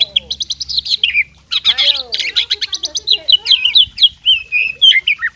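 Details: Oriental magpie-robin kept as a fighting bird, delivering a loud, varied song of rapid whistled phrases, sharp chirps and rising-falling trills packed densely throughout, with brief pauses between bursts.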